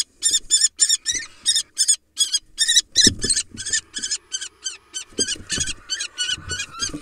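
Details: Female common kestrel, wild, fighting a male barn owl over a nest box she holds with an egg. Shrill, harsh calls run in a fast, uneven series, mixed with low thumps and scuffling sounds.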